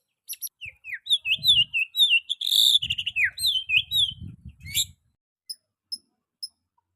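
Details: Young white-rumped shama song meant for training other birds: rapid high whistled and slurred notes with a buzzy trill in the middle over a low rumbling background, ending in a few isolated sharp ticks.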